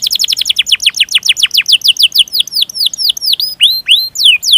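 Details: Canary tutor song calling rivals: a quick series of high, descending whistled notes, steadily slowing and broadening into looping, upturned swoops near the end.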